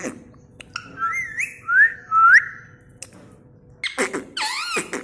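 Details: Talking parrot kept indoors saying "mitthu" in a clear voice: smooth whistled rising glides, then harsher broken syllables with wavering tones near the end.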